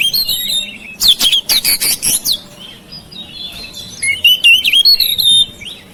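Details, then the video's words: Oriental magpie-robin kept at home, singing to stimulate silent birds: harsh, rasping chatter bursts followed by fluid whistled phrases and rapid repeated notes. "KICAUAN KACER RUMAHAN MEMANCING SUARA KACER YANG BISU MACET"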